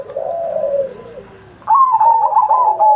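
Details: Zebra dove singing on Indonesian Independence Day as a model to draw out silent pet doves: a soft, low drawn-out coo, a short pause, then a loud, vibrating trilled coo.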